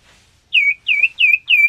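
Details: Common iora, male and female kept in a breeding enclosure for pairing: four loud, clear whistled notes, each dipping then rising slightly, given about three per second.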